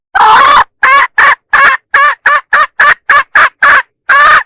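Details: Loud hen lure call for roosters: a dozen harsh, nasal, clipped notes in steady succession, the first one longer.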